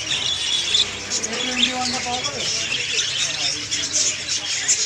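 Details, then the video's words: Budgerigars chattering together: a dense, continuous wash of high twittering and scratchy chirps, with occasional short warbled notes underneath, steady throughout with no clear pauses. "বাজরিগার পাখির ডাকাডাকি ~ বাজরিগার পাখি কিচিরমিচির শুনতে ভালো লাগে | Budgie birds singing"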